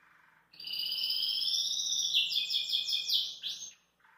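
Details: Relaxed Belgian canary at a kitchen sink delivers a long unbroken rolling trill that turns into quick, evenly repeated slurred notes before stopping abruptly.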